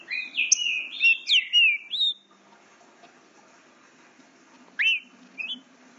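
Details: Young green-winged saltator, eight months old, captive-bred, practicing its song: a fast two-second burst of bright whistled slurs swooping up and down, a long pause, then two shorter whistled notes, with a faint low hum underneath.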